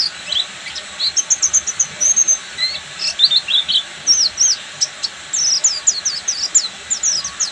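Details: Oriental white-eye, Buxtomi type, in ngeriwik song: a rapid stutter of tiny high chips, brief warbled phrases, then a long series of crisp, steeply falling notes at a brisk pace.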